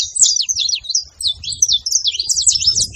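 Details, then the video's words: Saffron finch singing: a rapid run of sharp, high chirps and short slurred notes, nearly continuous for three seconds, with a brief lull midway and faint low rumbling underneath. "canário da terra fazendo barulho"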